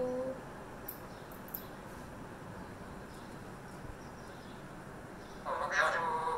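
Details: An Alexandrine parakeet speaks early in the morning, calling to an African grey parrot, in a voice-like, harmonic tone: a short word at the start and a louder phrase of about one second at the end, with faint chirps between.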